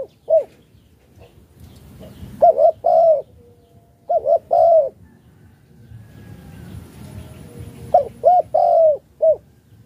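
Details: Spotted dove of Malaysian type in chiêu gù cooing: mellow, hollow coo phrases of three or four notes, the longest note drawn out, repeated three times with pauses between, over faint low background rumble.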